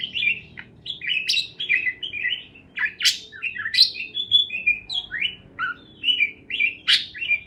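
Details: Lively parakeet chatter made of rapid high chirps, short descending whistles and occasional sharp clicks, delivered almost continuously.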